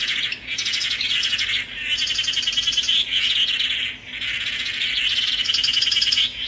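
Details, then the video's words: Swallow-tailed manakin (tangará) song: three long bursts of fast, buzzy, high chattering trills, each lasting about one to two seconds, separated by short quiet gaps. "Canto do pássaro "tangará""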